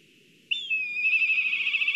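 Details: Excited black kite at a nest in Kurzeme, Latvia, filmed by a live nest camera, gives a sudden high whistle that drops in pitch and runs on as a steady, wavering, pulsing quaver.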